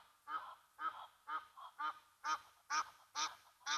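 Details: Egyptian Geese at the Gnu Pan waterhole, Mabula Game Lodge, South Africa, upset by a Brown Hyena; harsh, ridged honks repeated about twice a second, the later ones louder and brighter, over a quiet background.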